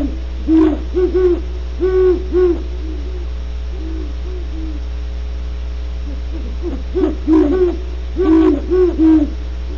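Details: Nearly ten seconds of great horned owls at Starr Ranch, California, with bursts of low hoots, a quieter middle stretch, and a louder overlapping cluster near the end above a steady hum.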